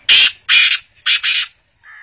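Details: Black francolin calling: four loud, harsh, grating notes in two pairs, the second pair quicker, followed by a fainter short nasal note at the end; no other clear sounds.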